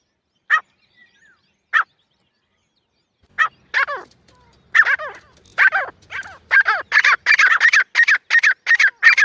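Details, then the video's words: Teetar, the francolin or jungle partridge, in a hunting recording: two isolated harsh notes, then a quickening series of rasping, downward-sliding calls that become rapid and continuous toward the end. "Francolin Calling Voice"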